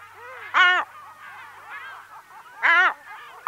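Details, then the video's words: A single lesser black-backed gull in a colony on Walney Island gives loud, harsh, nasal calls at about two-second intervals, heard close up over quieter calls from other gulls in the colony. "Lesser Black-Backed Gull. Calls CU From A Single Bird."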